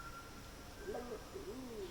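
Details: Wompoo fruit dove, a wild rainforest pigeon of eastern Australia that feeds high in the canopy and is more often heard than seen. It gives its name-giving call: soft, low hooting notes, several short rising and falling coos over two seconds, faint against background hiss.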